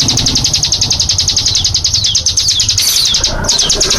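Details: Burung cigun, the hill prinia, delivering its 'nembak' shooting song, a rapid volley of thin, high, downward-slurred notes that runs almost unbroken, briefly faltering near the end, over a faint low hum.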